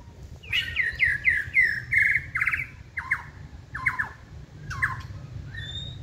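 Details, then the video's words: Caged white-rumped shama giving a series of harsh, rasping notes about twice per second, loud at first and then spacing out and fading. "Chòe lửa siêng tạch chơi đuôi bung xòe kích là hót"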